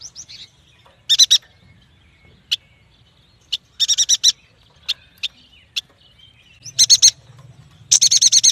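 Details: Yuhina, known as prenjak batu, giving separated sharp chips and clustered runs of buzzy chirps, ending in a fast rhythmic train of high notes, with faint low rumble in places.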